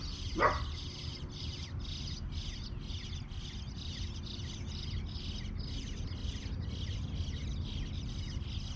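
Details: Bluebird babies chirping loudly while their parents are around, in a high, rapid series of short buzzy chirps roughly three per second, with one brief sharp rising sound near the start and a steady low rumble underneath.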